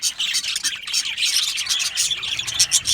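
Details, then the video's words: Cheerful budgerigar colony sound: thick, scratchy chirping and squeaking from many birds, pulsing in quick bursts with tiny sharp whistled peeps. "Happy Budgies Sounds | Budgies Chirping Sounds | happy Budgie sounds for lonely Budgie birds"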